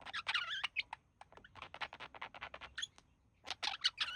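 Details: Relaxing budgerigar pair; the male mimics human speech with quick wavering whistles, rapid clicks and short buzzy syllables, falling briefly quiet before a final burst of twittering.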